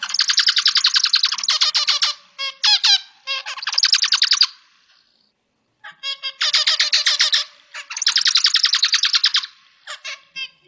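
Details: Zebra finch (Taeniopygia guttata) sings nasal, buzzy motifs made of rapid harsh notes, repeated in bursts.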